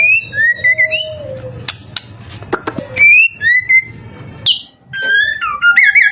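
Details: White-rumped shama singing as a lure for other shamas to sing back: a low whistled note, bright slurred whistles, a burst of clicks, then varied rising and warbling phrases, with a faint hum.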